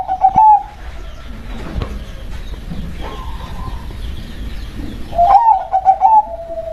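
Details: Local zebra dove. Trilled coo phrases come at the start and near the end, with a quieter, softer coo between them. A low continuous hiss fills the gaps.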